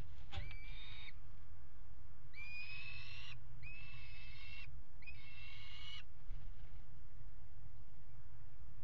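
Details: Nest-box peregrine falcons at a water tower in Axel, pairing on the ledge, 5 February 2018: four separate harmonic calls, each about a second long with an upswept start, over steady low-frequency hum.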